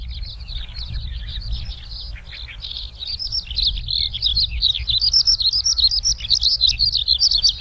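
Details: Skylark song delivered from the ground: quiet scratchy notes at first, then swelling into a loud, fast, unbroken run of high chirps, trills and slurred whistles, over a low background hum.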